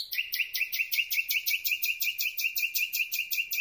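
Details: Common Nightingale singing at night, recorded from very close with a microphone on a telescopic boom: a fast run of sharp, high repeated notes, about three per second, steady and rhythmic throughout.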